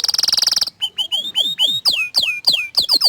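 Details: Orange frost canary song: a fast high buzzing trill, then a series of clear downward-sweeping whistled notes repeated about three times a second.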